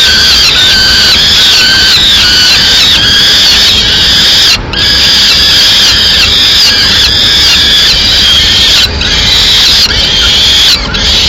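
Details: Peregrine falcon chicks in Madrid, Spain, begging loudly at mid-morning as the female brings a small bird as prey; harsh, continuous high screeching calls overlapping throughout, with brief dips in loudness.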